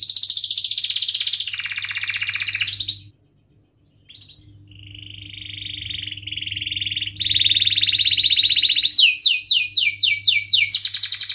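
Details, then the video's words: Singing canary in strong song, a long trilled rolling song meant to spur other canaries to sing; buzzy high rolls, a brief pause, then a sustained rising trill ending in rapid repeated downslurred chips. "Kenari Gacor Cuit cuit Ngerol"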